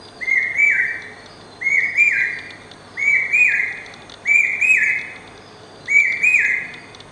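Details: Incessantly singing common hawk-cuckoo (brain fever bird, Akka kuyil): five strong, clear whistled phrases repeated roughly every 1.4 seconds, each a quick series of stepped notes that climbs in pitch; faint high twittering of other birds in the background.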